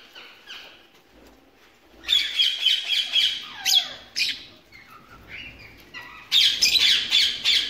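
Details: Screeching ringneck parakeets in a breeding collection with mixed birds. Dense runs of loud, harsh, rasping squawks come in rapid succession, with one descending squeal in the middle and a quieter pause before another loud burst.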